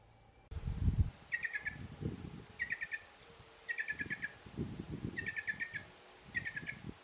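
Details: Plush-crested jays in a feeding flock at Arapongas, Paraná, Brazil: five bursts of rapid stuttering metallic notes, each under half a second, spaced about a second apart, over steady low rumbling and thumps.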